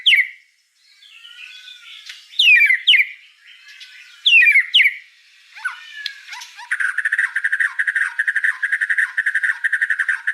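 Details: White-rumped shama in full song: loud, varied whistled phrases with sharp upward and downward slurs in separate bursts, then a long fast rattling trill of repeated notes, clean and close with a quiet background.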